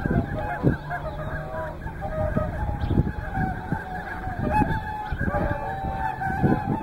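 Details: Whooper and tundra swans gathered at Hyoko in Niigata: scattered nasal honks rise from the flock, short and loud, with some longer level notes between them, over low rumbling background noise.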